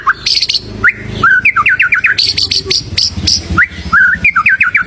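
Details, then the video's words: White-rumped shama in full, varied song used to train other birds: rapid runs of whistled, rising and falling notes with harsh buzzy bursts, loud and continuous, with a low hum underneath. "SUARA MURAI BATU GACOR UNTUK PANCINGAN BURUNG"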